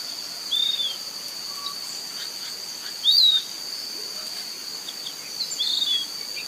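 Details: A Piratic Flycatcher (Legatus leucophaius) in Serro, Minas Gerais, gives three high, thin, slurred whistles spaced about two and a half seconds apart, over a steady high insect drone.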